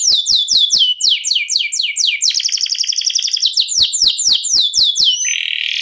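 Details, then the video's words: Canary with long-duration ngerol song, kept for contest singing: rapid descending notes with clicks, a sustained rolling trill, more falling notes, and a closing buzzy note. "NGEROL SEJALUR DURASI PANJANG..!"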